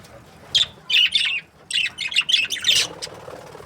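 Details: Budgerigars kept as breeding pairs, heard as harsh, scratchy chirps in short bursts: one brief note, a pause, then a run of chattering phrases packed together toward the end.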